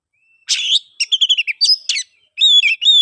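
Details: Oriental magpie-robin singing in the open, full 'ngeplong' style, used as a lure to get silent birds singing: a harsh burst, then quick clear whistled notes in a descending run, and a long pure whistle.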